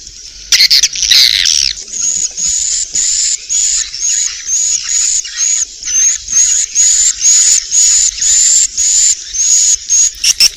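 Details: Swiftlet roosting call, Inap Ababil style, used to draw swiftlets: after a loud rough burst at the start, a long run of short hissing chirrs with a whistled top, quickening into a rapid regular sequence.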